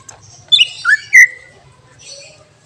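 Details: Greater green leafbird, whose mimicry-rich song is said to excite other birds. Three loud notes come in quick succession: a high chip, a downslurred whistle and a longer sliding whistle. Faint chirps follow.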